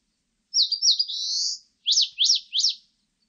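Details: Eastern crowned warbler, 2020 recording from a national biological resources institute: two quick chirps and a long buzzy rising trill, then after a brief pause three separate sharp, down-slurred high notes in quick succession; nothing else audible.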